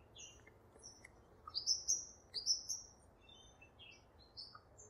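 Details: Aviary double-barred finch, also known as owl finch or Bicheno finch: two long, high, nasal drawn-out calls rising slightly at the start, about a second apart, among scattered faint high chirps from other small birds.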